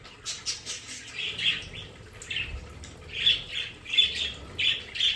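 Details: Several pet budgerigars in a decorated home play area give scratchy, squawking chirps in uneven bursts, some doubled, over a soft low background hum.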